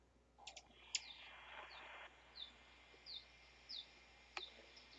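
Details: A hummingbird gives thin, high, quiet chips, short downslurred notes repeated about every half second, with a brief buzzy rattle near the start.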